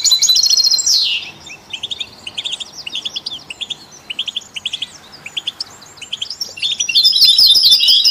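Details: Goldfinch singing in company with canaries and mules to stimulate other songbirds: a loud trill ending in a downward sweep, a long run of crisp separated chirps, then a final burst of rapid bright twittering.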